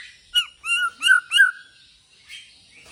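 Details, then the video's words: Bornean white-rumped shama, a caged bird performing with a bowing display, sings four loud, pure whistled notes in quick succession, each a smooth slur with bright overtones, followed by a quieter soft trailing phrase. "Murai Borneo gaya sujud"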